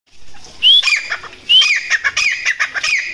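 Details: Grey partridge (titar) hunting call: two sharp rising whistled notes about a second apart, each followed by a burst of grating, clicking chatter that keeps repeating to the end.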